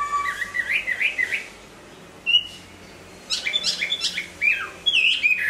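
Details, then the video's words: Hwamei singing while moulting: a burst of chattering whistled notes, a pause, a single clear whistle, then more bright, rapid phrases ending in sharp whistles. "Hoạ mi hót khi đang thay lông"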